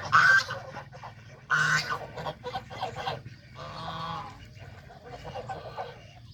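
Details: Geese on a small countryside farm, adults and goslings, eating fresh grass by a pond. Loud, harsh, nasal honks come in bursts. Several overlapping calls sound every second or two, with a low rumble underneath.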